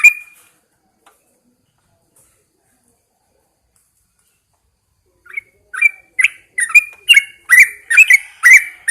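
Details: Caged Yellow-vented Bulbul set out in the early morning. After one chirp and a long silence, a quickening sequence of bright, gurgling chirps starts softly and swells, coming about twice a second.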